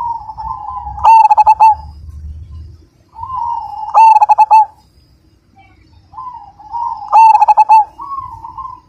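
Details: Zebra dove of the Majapahit type, a loud, persistent singer: a mellow coo near one pitch, then a burst of rapid clipped, ringing notes, repeated about every three seconds, with low rumbling noise between phrases.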